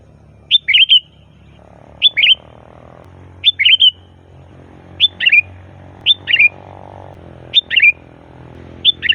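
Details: Sooty-headed bulbul, loud song used as a lure for bulbuls: short sharp whistled phrases with a bubbly twist, repeated roughly every one and a half seconds over steady low background hum.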